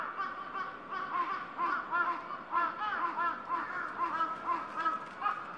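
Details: A crow flock at its roost on Gaikotsu-yama in the evening gives dense overlapping hoarse caws, a continuous rough chorus of many birds calling at once.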